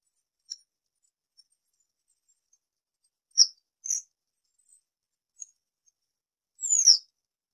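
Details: A citrine wagtail (Motacilla citreola), a rare vagrant in Taiwan, gives several sharp, high calls spaced a few seconds apart. The last is a longer, buzzy note that slides downward. Otherwise quiet.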